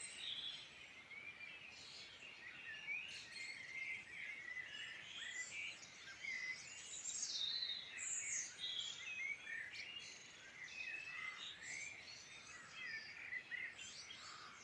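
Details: Birds singing in the Irish Midlands: continuous chorus of chirps, twitters and short whistled phrases from several birds, lively and unbroken over soft background noise.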